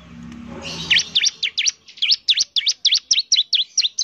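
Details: Bar-winged prinia song used as a lure: after a brief noisy start, a regular series of high, V-shaped chirps that dip and rise, about four per second.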